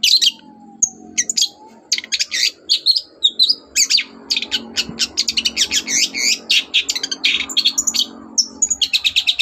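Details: Long-tailed shrike singing energetically in the morning, meant to provoke other birds into answering: a dense, fast stream of varied high chirps, squeaks and chattering notes. A faint sliding whistle runs underneath early on.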